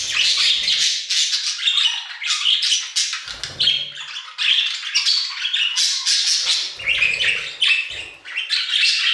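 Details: Budgerigars in an aviary produce a busy warble of harsh chirps and whistled squeaks in rapid, uneven bursts, with faint low thumps in the background.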